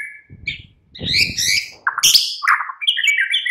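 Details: Afternoon white-rumped shama song meant to draw a caged bird into singing: rich whistled and buzzy phrases, some sharp rising notes, over a low background rumble between phrases.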